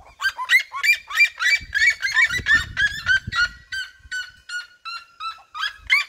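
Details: Red-legged seriemas, a flock in local campos, sing around the recordist with a rapid series of high yelping barks from several birds, gradually slowing to spaced notes, with brief low rumble midway.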